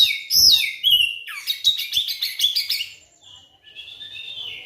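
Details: Kacer (Oriental magpie-robin) song used as a lure to make non-singing magpie-robins sing: bright falling whistles, a rapid run of rhythmic chirped notes, then a long, thin sustained whistle.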